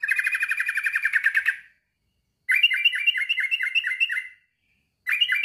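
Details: A male sooty-headed bulbul calls a rival with long runs of fast, twangy repeated notes. One dense trilled burst is followed by a slower string of clear, dropping chips, then the calling starts again.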